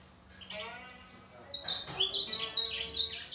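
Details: Grey singer finch in a singing contest with a green singer: a soft, quieter opening, then loud, bright chirps and quick sweeping twitters from about halfway, repeated several times a second over a faint steady hum.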